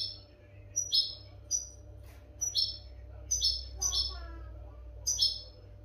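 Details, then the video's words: Captive-training recording of European goldfinch song, with sparse high chirps and short twittered bursts spaced irregularly, a faint lower warbled phrase midway, and a constant low hum beneath. "audio pará educar a los jilgueros sin errores"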